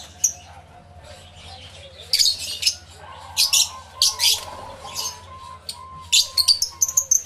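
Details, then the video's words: Several lovebirds in an aviary, stereo live recording: scattered loud, shrill squawks and chirps in short clusters over a faint whistled background tone. "1 Hour Lovebird Sounds Aviary Series V1"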